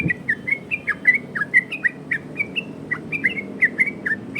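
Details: Yellow-vented bulbul song in the lively 'ropel' variation style, used as a lure and tutor for other bulbuls: a rapid run of short bubbly whistled notes around two kilohertz, with sharp clicky overtones and quiet background hum.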